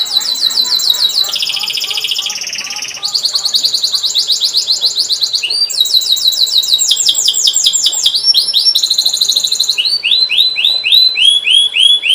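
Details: Canary in full voice, a lure for teaching young canaries: a continuous run of varied high trills, buzzy rattles and repeated swooping chirps, changing pattern every second or two without pause.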